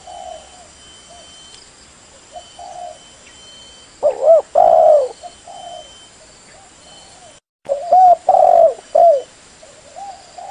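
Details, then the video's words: Spotted dove lure call for trapping. A few soft coos give way to two loud bursts of three or four mellow, hollow coos, each about a second long, over a faint steady high hum. "Suara pikat burung tekukur"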